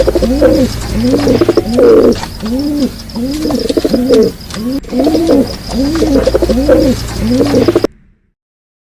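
A pigeon coos in low, soft, rounded notes, each swelling and falling, about ten in steady succession under a second apart, then silence; a faint high hum runs underneath.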